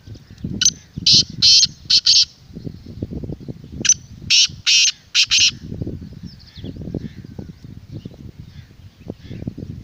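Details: Black francolin, called to prompt a kept bird and attract wild francolins: two harsh grating phrases of about four to five buzzy notes each, roughly three seconds apart, over steady low rumbling noise.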